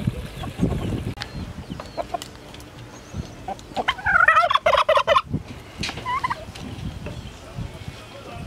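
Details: Fighting-prone male domestic turkeys kept together on a farm in Paraná, Brazil: a loud, fast, bubbling gobble for about a second mid-recording, a shorter gobble after it, with thumps and background noise throughout.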